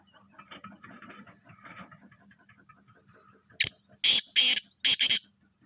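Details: Black francolin (kala teetar) of a pure charngi nasal strain gives a loud, harsh, grating phrase of five rasping notes in about two seconds, after a stretch of faint background murmuring.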